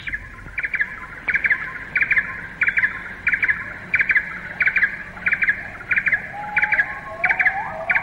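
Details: Little barbet in Malayan rainforest canopy, recorded late 1950s–early 1960s, calling in all directions as if to emphasise its presence: monotonous, repeated mid-pitched knocking notes in short clusters, about one every second and a half, over faint forest hum and a lower whistle.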